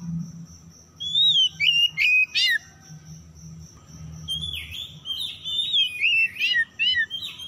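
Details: Oriental magpie-robin song, a lure for stressed birds that stopped singing: one whistled phrase with a sharp buzzy burst, a quieter stretch with low background hum, then a run of repeated falling chirps.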